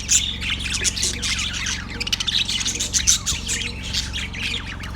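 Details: A yellow budgie chirps on February 18, 2024, giving a fast, jumbled warble of raspy squawks and bright tweets that rises and falls in bursts, backed by a low droning hum.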